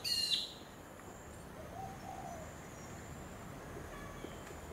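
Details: Blue-faced honeyeater (Entomyzon cyanotis) on the Sunshine Coast, Queensland, April 2023, gives one loud, high, slightly harsh call note at the very start, followed by quiet background hiss.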